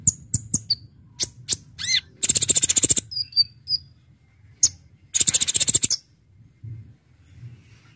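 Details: Brown-throated sunbird (Kolibri Ninja) singing for luring birds. Scattered sharp high chirps and a slurred note come between two dense, buzzy, rapidly pulsed trills of about a second each.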